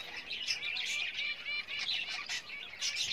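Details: Java sparrows, pet birds building a nest for breeding, give soft high chirps and short whistled notes among a busy, continuous twittering background.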